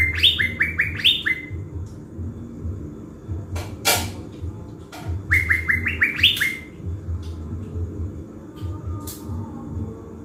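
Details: Caged blue-winged leafbird used as a lure in Bình Thuận, Vietnam, in full singing form. Rapid strings of rising whistled slurs come in two groups, broken by a loud sharp click or tap midway. Steady low hum throughout.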